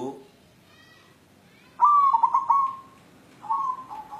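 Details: A white zebra dove of local wild stock, seeking a mate, delivers one loud, rippling cooing phrase and then a shorter, softer echoing phrase. Faint indistinct sounds come before them.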